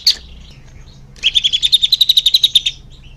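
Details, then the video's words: Greater green leafbird song used to prompt caged birds to sing: a single sharp note, pause, then a rapid even run of about twenty buzzy notes rising slightly in pitch. "Suara Cucak Hijau Biar cepat gancor"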